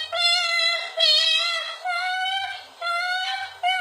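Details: A pet cockatoo, asked to sing again, sings in sustained, nasal, voice-like tones, four drawn-out phrases about a second each, rich in harmonics; a person speaks briefly.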